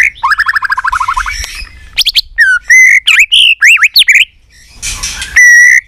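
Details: White-rumped shama singing a competition fighting song: a quick run of repeated rising notes, then loud sweeping whistles and abrupt slurred phrases, with a short harsh rasp near the end.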